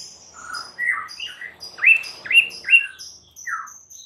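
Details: White-rumped shama song played as a lure to make a stressed bird sing hard: varied short whistled phrases, several sharp upslurs in a row, with faint high thin notes above and light background hiss.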